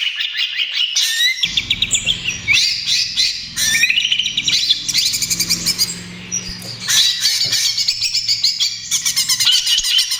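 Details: Continuous trotol song of a greater green leafbird, a lure and therapy for other birds: rapid varied twittering, rattling bursts and whistled slurs, with a faint low hum beneath.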